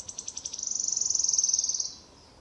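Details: Wood warbler song recorded in Lübeck, 13 May 2023: separate high ticking notes that speed up into a long, even, sibilant trill of about two seconds, then quiet birdsong far behind.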